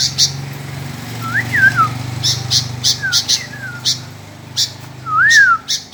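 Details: Sooty-headed bulbul, constantly answering back; clear whistled phrases rising then falling, three phrases spaced over six seconds, mixed with sharp clicking chirps and a low steady hum.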